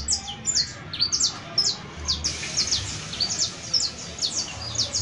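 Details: A canary on 31 December 2022, New Year's Eve, gives high, sharp chirps that are sparse at first, then a brisker, steadier series of falling notes.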